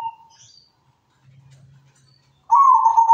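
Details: Local zebra dove in active song; after the end of an earlier note and a quiet stretch with a low hum, a loud trilled coo begins and is cut off.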